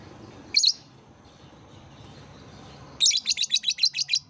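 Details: Lovebird therapy chirping, used to prompt lovebirds, especially young ones just learning, to call: one sharp high chirp, a pause, then a quick run of about nine bright, evenly repeated chirps.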